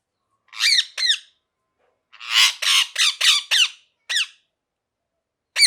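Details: Parrot, a pet ringneck, giving scattered sharp downslurred squawks, including a rapid cluster of harsh rasping notes midway, with brief silent gaps between calls, indoors.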